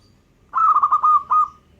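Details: Local zebra dove song, one phrase of about five quick, bubbling coo notes, then a short pause and a final drawn-out coo, all at one even pitch.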